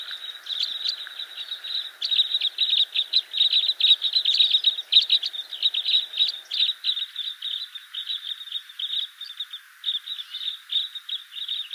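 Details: Red crossbill flock chattering: rapid, overlapping high chips, busiest in the middle and thinning toward the end, around two hundred notes a minute.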